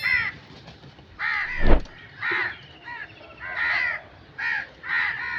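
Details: Crow cawing repeatedly with rough, nasal calls roughly every second, plus a single low thump near the start.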